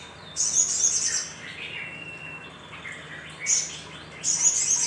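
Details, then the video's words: High, piercing chattering bursts from a little spiderhunter, used as a lure to stimulate other birds. Three bursts of thin, rapid notes are separated by quieter, lower twittering. "Pancingan Sogok Ontong Sogon Gacor"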